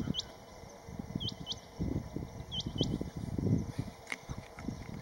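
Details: Rain quail, a rainy-season migrant breeding in Western Ghats grassland, calling to attract partners: short, high, upward-flicking notes, several in close pairs, over a constant low thumping and rustling noise.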